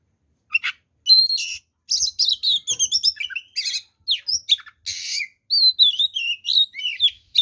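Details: Full fighting song of an oriental magpie-robin, used to stir rival birds into aggression; sharp whistled phrases, buzzy rasps and sliding notes follow each other quickly after a short silent start.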